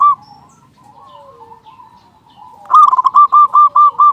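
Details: Local zebra dove song used as a lure to stir other doves into calling: a soft low cooing phrase, then a loud run of about seven quick, evenly spaced rolling coos near the end.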